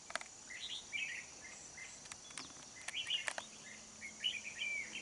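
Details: During trapping of a wild old red-whiskered bulbul with a decoy, 20 November 2019, quick chattering phrases alternate with sharp clicks and knocks, then rising whistled notes near the end.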